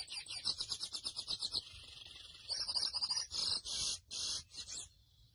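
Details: Grey seedeater, or mochuelo, delivering an even run of high repeated chirps, a short pause, then a buzzy trill and a few longer harsh notes before falling quiet.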